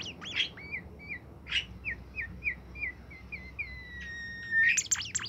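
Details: Bimoli bird kept in a cage, singing constantly. Short whistled notes repeat at an even pace, then one long, level whistle slides gently down, followed by a burst of sharp chirps.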